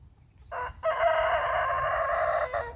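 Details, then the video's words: Rooster crowing in the morning to mark his territory, said to crow 17 times. A brief opening note, a short gap, then one long, loud, rich cock-a-doodle-doo holding steady for about two seconds, over a low background rumble. "rooster crows 17 times"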